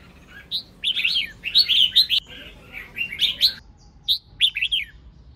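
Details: Female red-whiskered bulbul song used to stir males: lively warbling phrases of rapid rising-and-falling whistles repeated in several bursts, with brief pauses and a closing short trill.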